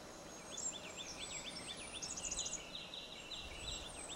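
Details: Blackburnian warbler (Setophaga fusca), song.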